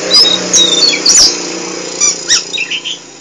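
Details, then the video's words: Poci-type Oriental magpie-robin in continuous chatty singing: scattered high whistles and quick clicks, a few short rising chirps near the end, over a steady low background hum. "Kicau Burung Kacer Poci Gacor Cerewet Nggak Mau Diam"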